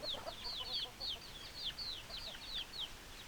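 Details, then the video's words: Chickens peeping: clear, shrill notes that drop sharply in pitch, repeated several times a second by overlapping birds, with softer lower chatter underneath. "Chicken Sounds Noises Hens Clucking Roosters Crowing"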